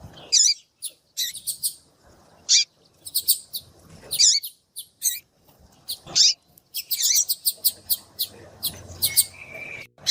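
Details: Female yellow-bellied seedeater calling, used by keepers to excite males into singing for song tournaments; high, thin chirps and downward-sweeping tweets in short bursts, irregularly spaced with brief silent gaps, a faint steady whistle near the end.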